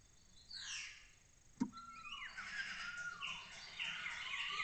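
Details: Starling waking at 7 am in a nest box within a lesser kestrel colony in Cabañeros National Park, Castilla-La Mancha, Spain, as other starlings call: descending whistled slurs, a sharp click, then long level and falling whistles over buzzy chatter.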